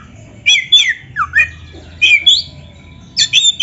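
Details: Kacer, the Oriental magpie-robin, singing in a lively, varied style meant to provoke caged birds into replying: separate bursts of whistled upslurs and harsh chips, with short pauses between phrases and a faint low hum behind.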